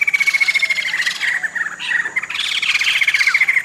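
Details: Sumatran laughingthrush, endemic to Sumatra, one of two pairs held in rehabilitation cages before release. Loud, harsh chattering bursts with rising and falling notes, overlapping in a noisy chorus. A steady high whine runs underneath.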